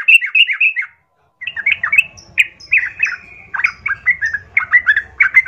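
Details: Chatty 'gacor' yellow-vented bulbul lure song to goad rivals into fighting: several lively bursts of loud, quickly repeated chirped notes separated by short gaps, with light background rumble.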